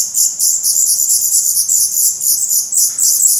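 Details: Black redstart young in the nest, Portugal, May 2020, recorded by a camera placed close by. Intense continuous hissing, shrill chatter of many overlapping high notes, very dense and rapid, without pauses.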